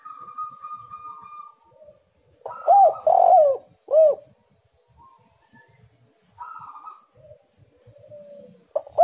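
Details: Spotted dove cooing, made to lure other doves into song: a faint drawn-out note, then a loud phrase of rolling, hollow coos, quieter coos afterward and a new phrase beginning at the end.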